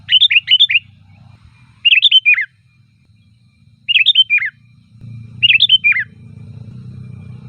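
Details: Sooty-headed bulbul repeating a short, bubbly, warbled phrase four times, each ending in a downslurred note, about every 1.8 seconds, over a low background hum; loud varied song used as a lure for bulbuls.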